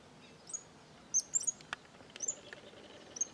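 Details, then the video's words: A small flock of cattle tyrants singing in the sertão of Bahia: thin, very high squeaky chirps, sharply rising and falling, given in short bursts of two or three, with a few dry clicks between them. "Suiriri Cavaleiro Cantando"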